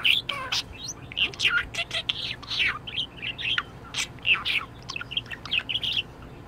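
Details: Happy budgerigar in top spirits keeps up a fast stream of short high chirps, clicks and twittering notes, busy and unbroken throughout.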